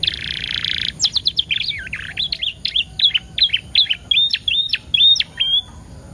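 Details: Canary singing as a lure for other canaries: a brief buzzy burst, then a fast run of sharp high chirps and warbled notes, about eleven notes in five seconds, loud and clear over low background hum.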